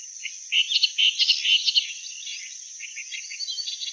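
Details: Loud, grating churrs and chatters from a clamorous reed warbler in the first half, then quieter, faster chattering notes trailing off.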